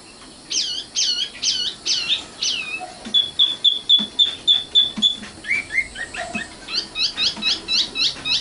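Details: Singing common nightingale, called sikatan londo, Luscinia megarhynchos: a few loud descending slurs, then a rapid series of thin pure piping notes on one pitch, followed by lower chirps and quick high hooked whistles.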